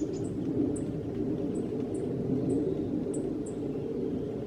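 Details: Black-faced bunting giving winter call notes in December 2014. Very high, thin, clipped tsip notes come singly or in close pairs at irregular intervals over a low, steady background rumble.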